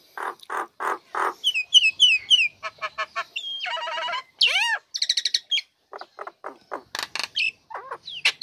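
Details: Female Nias hill myna, cage cover opened, singing vigorously to lure lazy birds. Low nasal chucks lead into high fluted whistles, a harmonic buzzy trill, arched whistles and scattered sharp clicks.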